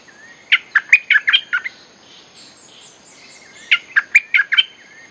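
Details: Bulbul lure song: two bubbly phrases of five to six quick whistled notes each, separated by a pause of about two seconds with faint thin whistles.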